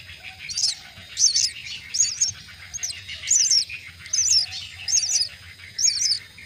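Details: Common myna chicks being fed at the nest give harsh, high, raspy squeaks in short bursts, about one every second, with a low background hum.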